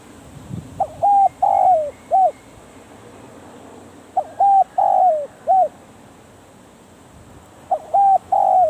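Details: Spotted dove kept as a decoy for trapping, calling three times at steady gaps of about three and a half seconds. Each is a soft, hollow coo phrase with a drooping long note. The last phrase is cut short.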